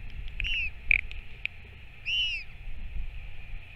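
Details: Northern royal albatross during a parent's return to feed its chick, 21 May 2024: two drawn-out, arching whistled notes with a short click between, set against low, steady wind noise.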